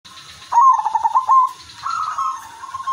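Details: Zebra dove of the silver udanmas type, a captive songbird kept to lure other zebra doves into singing: a bright trilled phrase of rapid pulsed coos around one pitch, then a steady held tone, over a faint low background hum.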